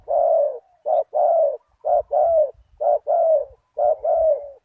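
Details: Spotted dove with a deep '1 kuk' voice, kept as a decoy to lure a target bird, delivering four loud, evenly spaced phrases of a clipped note and a long falling coo, with low thumps underneath.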